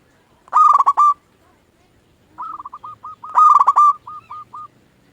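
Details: Lure song from a local zebra dove used to excite quiet doves: a loud rolling coo burst, a quiet pause, then soft repeated short notes leading into a second loud pulsed phrase.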